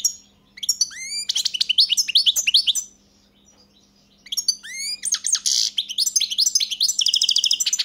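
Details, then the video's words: Song of a European goldfinch, two bursts of fast liquid twittering separated by a brief silence, with upswept chirps and a buzzy rattling trill near the end; low electrical hum in background. "Pesma štiglića"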